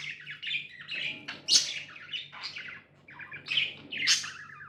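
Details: Pet budgerigars chirping indoors: bright warbled chirps and short buzzy notes in bursts, with louder sharp peaks near 1.5 and 4 seconds over a steady low electrical hum.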